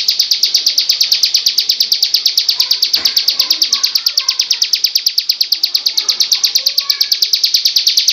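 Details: Bar-winged prinia, sung for songbird training: a continuous, machine-like run of bright, high chips repeated rapidly and evenly throughout, with a brief soft knock near the middle.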